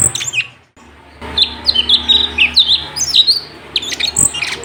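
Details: Sooty-headed bulbul's lively tutor song for teaching other songbirds: sharp high notes, a brief pause, then a rapid sequence of liquid whistled phrases and chirps over a faint low hum.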